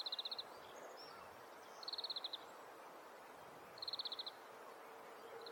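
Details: Breeding male Oriental greenfinch singing in Hokkaido: quick trilled runs of bright, clipped notes repeated roughly every two seconds, three full bursts and a fourth starting, with a faint steady hiss underneath.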